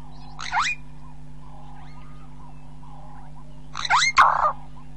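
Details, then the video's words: Burchell's starling, close up, gives two short, harsh, rising squawks about three seconds apart, over a low steady hum and faint distant chirps. "Burchell's glossy-starling call"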